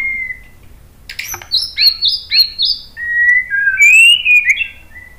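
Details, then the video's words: A white-rumped shama sings to lure other birds into answering: a short whistle, a set of crisp descending whistled notes repeated four times, then long clear flowing whistles. "KICAUAN MURAI BATU memancing BUNYI jadi NYAUT GACOR NGEPLONG BONGKAR ISIAN ¦ PANCINGAN MURAI"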